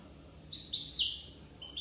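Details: Short twittering phrase from a European goldfinch in Corsica: a few bright, sliding high chirps run together, then a brief pause and one more tinkling note.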